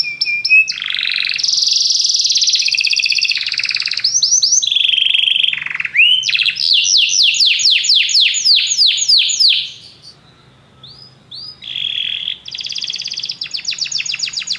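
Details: Many canaries singing together after hearing music: long buzzy rolls, fast descending chirp series and sweeping whistles, a short quieter gap, then more rapid trilled phrases.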